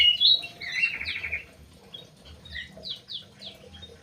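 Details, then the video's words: Aviary Crewet in Indonesia singing bright, high chirps, a rattling trill near the start, then a series of quick downslurred notes, against a soft low background hum. "BURUNG CREWET"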